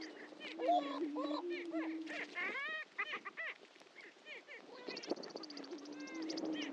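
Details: Greater prairie-chickens displaying at the historic lek on Dunn Ranch Prairie, Hatfield, Missouri: a steady low hum runs underneath overlapping whooping, cackling and rising-falling harmonic calls from several birds at once.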